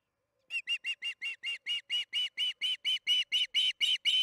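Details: Osprey at a nest during evening feeding, Charlo, June 21, 2019, 8:15 pm MDT: a steady series of about sixteen sharp whistled chirps, roughly three per second, growing gradually louder, with no other clear sounds.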